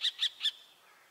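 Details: Common kestrel giving three quick, piercing 'kee' notes, evenly spaced, the last slightly longer and fading into a faint tail; background otherwise quiet.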